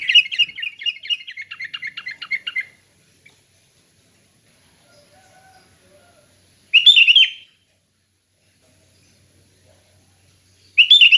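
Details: Sooty-headed bulbul in ngeplong song opens with a run of about twelve quick, evenly spaced chirps, then after a pause gives two short bubbly warbled phrases.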